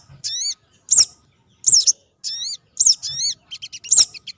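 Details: Sogon trotol, the white-crested laughingthrush, in a lure recording for wild birds: loud high chirps with warbling overtones, repeated at short intervals, ending in a fast stuttered twitter.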